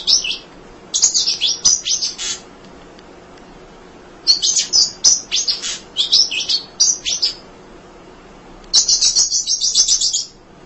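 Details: Munia chattering nonstop as a tutor bird for other songbirds: three bursts of rapid, high, scratchy chips separated by short pauses, the last a fast even trill of about a dozen notes.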